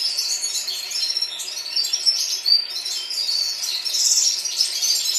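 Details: Chorus of red-fronted serins in Baku, Azerbaijan, several birds twittering at once in a steady, high, jingling tangle of rapid chirps and short trills, with a brighter burst near the end.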